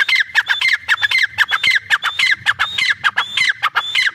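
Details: Irani teetar francolin calling continuously: coarse, grating notes with clipped whistled tops, about two per second and slightly uneven, with a faint low rumble beneath.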